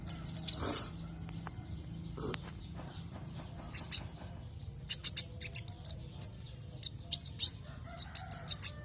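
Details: Javan white-eye lure sound to make other white-eyes sing: an opening burst of chirps, a quieter stretch, then repeated high sharp chirps and twitters, with a low steady hum.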